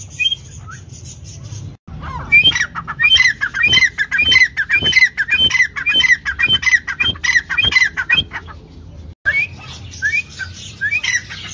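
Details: Partridge (dhakni tetar) after a quiet start bursting into loud, rhythmic, rasping calls with squealing upper notes, repeated rapidly for several seconds, then softer scattered squeaks to the end.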